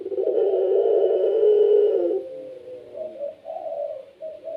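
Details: Long low coo from a kept Barbary dove of the pelung type, loud for two seconds, then fading into softer, wavering coo notes.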